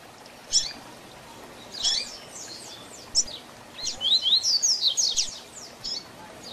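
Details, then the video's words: Tutor song of a double-collared seedeater in the Tui Tui Zel Zel Diferenciado style, used to teach young birds. Scattered sharp high notes lead into a rapid run of bright slurred whistles about two-thirds through. "Tui Tui Zel Zel Diferenciado Encarte seu Coleiro ou Papa capim - Coleiro Professor Aprendizado"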